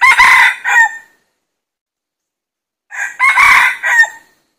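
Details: Two crows from a red junglefowl during decoy luring of wild birds, about three seconds apart, each a short, loud, hoarse burst of stacked syllables ending in a clipped note, with silence between.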